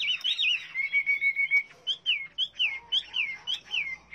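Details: Chinese hwamei whistling loudly: a wavering opening, a level held note, then a series of clear descending slurs repeated roughly every third of a second.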